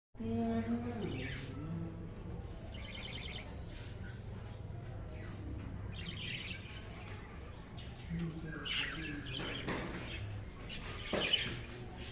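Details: Budgerigars (Melopsittacus undulatus) give scattered high, scratchy chirps and warbles over a steady low hum and murmured voices.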